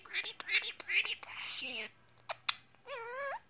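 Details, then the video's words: A male pet bird in a quiet room chatters in his own language with quick, scratchy bursts and breathy, speech-like notes, then gives a wavering, rising whistle. "Pretty bird making different sounds"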